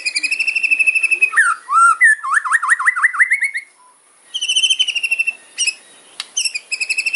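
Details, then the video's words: White-rumped shama in loud kretekan fighter style: rapid ticking series, then a zigzag burst of rising and falling whistles, a short pause, and more quick repeated chip notes. The song is meant to agitate rivals. "KRETEKAN MURAI KERAS FIGHTER ISIAN TAJAM BIKIN LAWAN EMOSI"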